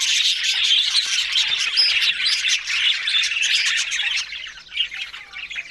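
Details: Budgie chatter of fast chirps and squawky notes, with a clear whistle near two seconds, growing quieter and sparser toward the end.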